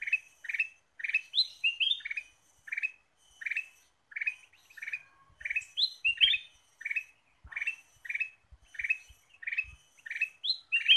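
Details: Energetic Ruby-throated bulbul lure song (kutilang emas gacor): dense strings of burry chirps broken by higher, sharper upward notes, phrases tumbling on with brief pauses, plus scattered low clicks in the middle.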